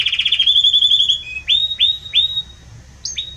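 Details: Strong, warm-voiced Belgian canary delivering a fast pulsing trill that flows into three clear rising-then-flat whistled notes, ending with a short pair of higher notes.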